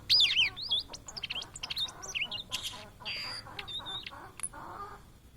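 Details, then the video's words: A Blue-and-white flycatcher (Cyanoptila cyanomelana), a migrant often seen in Indonesia, sings a rapid, varied run of clear high whistles, slurred notes and short buzzy trills, almost without pause. "Tledekan Laut Gacor Plong"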